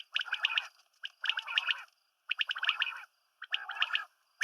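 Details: Quail, known locally as batair, male and female calls mixed; four raspy, gargling bursts, each under a second long and separated by short silences.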